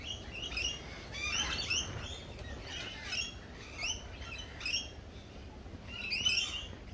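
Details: Lorikeets at a cafe giving harsh, buzzy screeches in short bursts, several calls repeated roughly every second, over a low background rumble.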